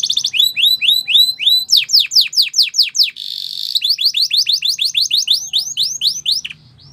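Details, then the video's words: Canary training song of repeated rising whistled notes, steep descending sweeps, a short buzzy trill, then more looping rising notes. "Canary Bird Singing Training"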